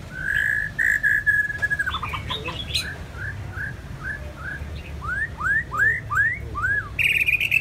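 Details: ['White-rumped shama song opening with a few sustained whistled notes, then a rapid cluster of high notes, followed by a series of down-slurred whistles and upward-curving whistles repeated about twice a second.']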